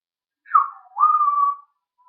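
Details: Talking parrot, recorded 1 June 2013, gives a two-part whistle: a quick downward sweep, then a rising note held level for about half a second.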